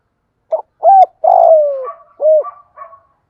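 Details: Cooing phrase of a spotted dove in the 'thổ pha' voice, played to stimulate fresh-caught birds: short note, round coo, long sliding-down coo, a final coo, then two faint trailing notes.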